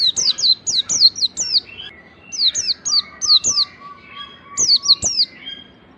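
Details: Oriental white-eye wild song used to lure and train other white-eyes: dense, lively series of high descending whistles in runs of five or six, with a faint steady lower tone underneath.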